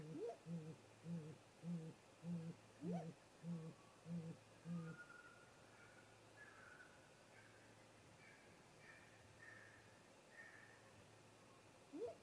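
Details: Great grey owl pair at a snag-tree nest in late afternoon, 18:58 MDT: a regular run of deep hoots for five seconds, then quieter, with soft higher notes and a final rising whoop.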